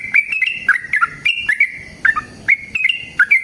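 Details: Spirited sooty-headed bulbul song: clusters of fluty, bubbly whistled notes with quick pitch jumps, coming in short bursts with small gaps between them.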